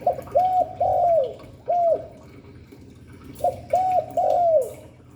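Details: Two three-note cooing phrases from a spotted dove, Hạp Bổi voice style: a brief note followed by two rounded, falling coos, with a pause between phrases.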